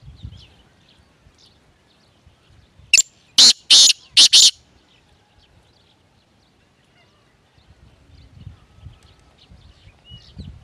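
A grey francolin gives a quick burst of four loud, harsh, grating notes in about a second and a half, then falls silent against faint background rumble.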